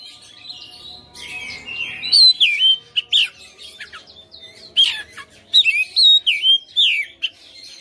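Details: Domestic white-rumped shama, a fighter bird singing hard and persistently: varied whistled slurs, twisting falling notes and harsh clicks delivered in fast, loud bursts after a quieter warbling start.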